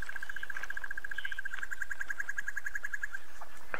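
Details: A crested barbet perched in shade on a sunset drive on Nov 22, 2016, replying to another calling nearby, gives a long, even trill of rapid, slightly ringing notes, like a running alarm clock, with faint bird calls behind.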